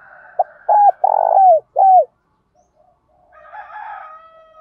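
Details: Spotted dove in the hạp bổi calling style, used to excite trained doves; a brief note, then three deep hollow coos, the longest sliding down, followed by faint distant chatter and hiss.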